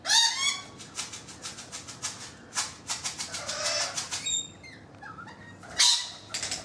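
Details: Noisy rainbow lorikeets on a balcony, more perched on the roof: fast, scratchy chattering pulses and squeaky twitters, broken by harsh screeches at the start and near the end.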